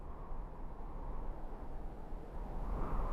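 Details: Low, steady rumble of engine or wind noise with no animal voices, dominated by deep tones and slowly growing louder toward the end.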